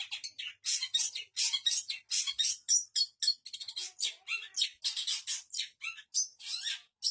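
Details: Shrike imitating other birds' voices in a fast, almost unbroken song of harsh high chips, trills and scratchy notes, several each second.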